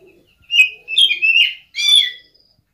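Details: Oriental magpie-robin (kacer) giving a cat-like luring call: three slurred, mewing phrases over about two seconds, the first rising then falling, the last harsh and buzzy.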